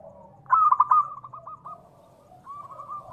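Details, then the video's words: Local Indonesian zebra dove, a lure meant to get other doves calling. One loud, fast stuttering burst of coos fades into softer lower notes. A thin, level trailing coo follows. "perkutut lokal gacor SUARA TEMBUS 100%pancingan perkutut cepat Nyaut"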